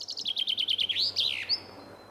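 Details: Common chaffinch song: a fast rattle of evenly repeated notes that drops slightly in pitch and ends in a loud, twisting terminal flourish, followed by a thin, high, fading whistle.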